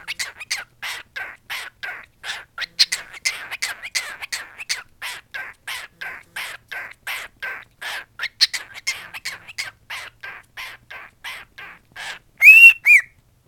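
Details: Pet male cockatiel singing a song it learned from its owner's singing. Fast, raspy chattering syllables run in a long even series, then two loud, clear rising whistles close the phrase.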